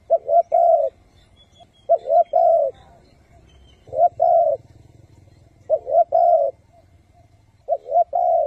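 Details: A spotted dove (Spilopelia chinensis) coos in low, mellow phrases of two short notes and a longer drawn note about every two seconds. These are calling and cooing types used as a decoy to lure wild doves.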